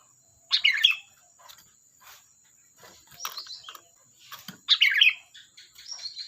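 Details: Sooty-headed bulbul, called kutilang locally, singing lively and loud: two bursts of rich, bubbly warbled phrases between 1 and 5k, separated by softer chirps and clicks, with a steady faint high hiss throughout.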